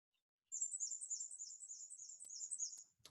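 Black-and-white Warbler song: a thin, very high, squeaky two-note phrase repeated rapidly for about two and a half seconds, like a rusty wheel turning.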